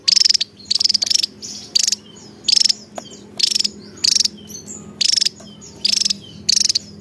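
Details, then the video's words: Javan tesia in nonstop song: short, bright, rapidly ticking trills, high and buzzy, repeated in uneven clusters with short gaps, plus faint thin whistles between bursts and a soft low hum. "Burung Tesia Jawa Loss Doll"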